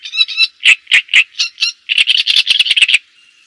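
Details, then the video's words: Java sparrow song used for luring and tutoring, clear separate clucking notes that then speed into a rapid chattering trill and end with a faint whistle. "Suara Ocehan Burung GELATIK JAWA Untuk Pancingan Dan Masteran"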